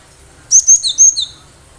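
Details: Loud, clear phrase from a wild, lively cinereous tit used as a lure: five thin high whistles alternating between a higher and a slightly lower pitch, with a quiet background.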